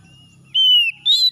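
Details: Brief morning phrase from an oriental magpie-robin, intended to restore stressed birds that stopped singing: a long pure whistle sliding gently down, then a second whistle with a scratchy overtone, over a faint low hum.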